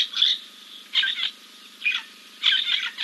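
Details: Giant kingfisher preening after a dip at King's Camp, 2 April 2024. A live wildlife camera captured four harsh, rasping bursts, each about a third of a second long, spaced roughly every 0.7 seconds, with a quiet background between them.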